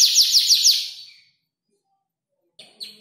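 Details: Canary about five months old, practising song built from copied tutor birds such as ciblek and prenjak lumut; a short burst of quick high sweeping notes, then silence, then a few faint chirps.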